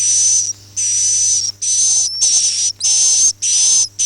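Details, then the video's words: Swiftlet calling in the "Akau ngaji" style: long breathy buzzes overlaid by a high, level whistle, five or six bursts separated by short silences, one note with a brief upward flick. "suara walet Akau ngaji Original"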